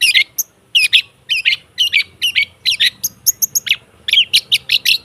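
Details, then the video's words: Long-tailed shrike lure song intended to make a silent bird open its beak and sing: repeated groups of harsh chattering chirps spaced by brief gaps, with crisp high ticks in the middle. "Suara TERAPI pancingan cendet /pentet macet total , di jamin buka paruh"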